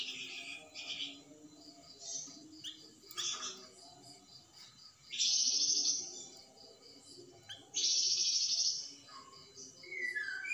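Flamboyan bird song with sharp, high bursts and buzzy trills, delivered in loud separated volleys with short quiet gaps between them.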